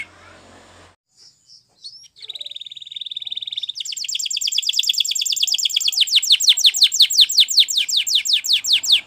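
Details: Canary training song: a few soft introductory notes, then a rapid, even trill that builds into loud, fast repeated downward-sweeping whistles.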